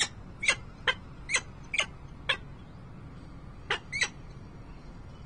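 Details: Peregrine falcon at Harrisburg, Pennsylvania, on 28 November 2020, giving short harsh chipping calls with bright harmonics, eight notes in loose irregular spacing with a pause mid-clip, over low background rumble.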